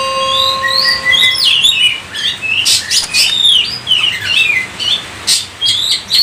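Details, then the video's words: Oriental magpie-robin in lively 'gacor' song meant to set other kept birds singing; a steady pure electronic-sounding tone opens, then quick rising and falling whistles mixed with short harsh bursts and squawks. "Kacer COVID-20 mampu sebarkan virus gacor kacer Anda"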